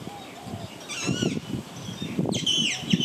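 An Alexandrine parakeet gives two harsh, ringing squawks about a second apart, each with a slight downward slur, over low murmuring voices.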